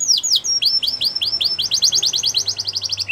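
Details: Yorkshire canary song for training young canaries: a couple of high falling whistles, then an even series of quick downslurred notes speeding into a fast trill, over a light low hum.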